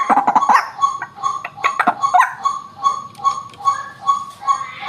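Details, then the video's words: White-breasted waterhen, a recording for luring birds, opening with a few harsh rough notes, then settling into a regular series of short nasal notes repeated about twice per second. "suara asli pikat burung ruak ruak"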